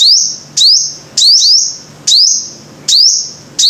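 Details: Shrill, upslurred whistles of a five-coloured sunbird, each sustained and ringing, sometimes doubled. They repeat roughly every half second to second over a faint low hum.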